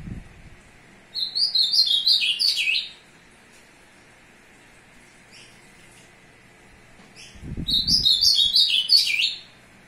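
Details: Courtship song of an azulão directed at a female, 02/06/2022: two separate warbling phrases of high, clear notes that descend in steps, each lasting under two seconds, divided by several seconds of quiet and low knocking sounds.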